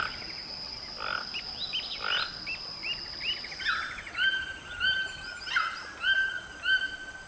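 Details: Toucan kept in a house, giving a series of short, croaking, frog-like calls that rise and fall, repeated roughly every half second, with a steady high whine in the background.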